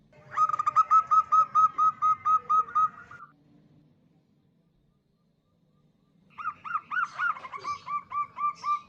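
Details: Female zebra dove, a local bird, calling to attract a male, used as a lure. It gives a run of about a dozen quick, even, clipped coos, then goes quiet for three seconds before another similar burst.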